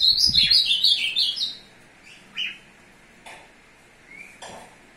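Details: Azulão (Ultramarine Grosbeak), a caged male courting a female; a quick run of slurred warbled notes for about a second and a half, then short single chips, a brief rising whistle and a couple of clicks.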